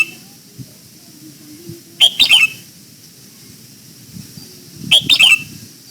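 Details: Red-whiskered bulbul giving its morning song during voice training for the old-forest double-note style. Two crisp, warbled whistled phrases of several quick notes are about three seconds apart against low background hiss.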